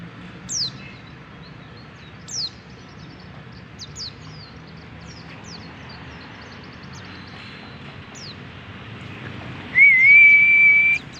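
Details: Pet white-eye singing outdoors among wild white-eyes: scattered thin, high downslurred notes, some louder than others, ending in a long, steady whistled tone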